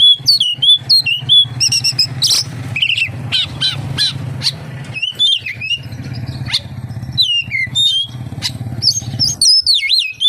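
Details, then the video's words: Oriental magpie-robin song full of kapas tembak imitations, with sharp whistled slurs, quick chirps and buzzy notes over a steady low engine-like hum. "SUARA BURUNG KACER, FULL ISIAN KAPASTEMBAK"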